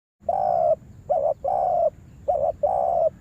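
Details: Spotted dove kept as a lure bird for trapping, being trained in a yard: a short two-part coo followed by a long, steady, low coo, repeated with brief pauses between phrases.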